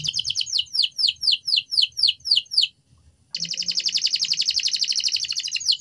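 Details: Training song for canaries: evenly spaced descending whistled notes, a brief silence, then a fast continuous high trill.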